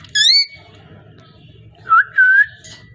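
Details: Parrot giving a wavering high whistle, a short pause, then two smooth whistled notes, the second drawn out and level, against a faint low hum.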